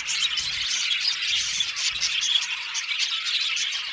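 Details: Budgerigars in an aviary colony of about 70 pairs, a brief burst of dense high chirping and squawky chatter from many birds together.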